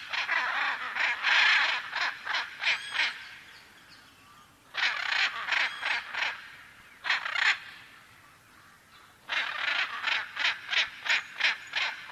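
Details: Macaw giving bouts of rapid raucous squawks, several calls per second, separated by quiet gaps of a couple of seconds.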